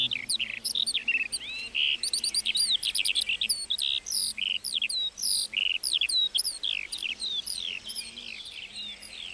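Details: Lark singing in a meadow, a long, rapid sequence of sharp high chirps and upslurred whistles, repeated in dense, evenly spaced bursts.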